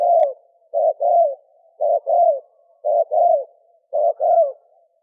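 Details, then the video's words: Male and female spotted doves giving thổ kim style coos meant to provoke wild doves: a steady two-part phrase, a short clipped coo then a longer falling one, repeated roughly every second against silence. "Tiếng chim cu gáy thổ kim kích bổi trống mái"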